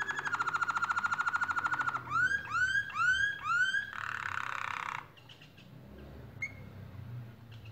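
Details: Canaries singing while making their nest: a quick pulsed trill, then four upward-sweeping whistled notes, a short buzzy rattle, and a few faint notes afterwards over low room hum.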